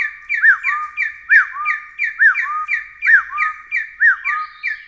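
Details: Loud rhythmic whistling from the Taiwan Hill Partridge, endemic to Taiwan's mountain thickets: arched upslurred notes alternating with longer level tones, a phrase about every second, steady and repeated.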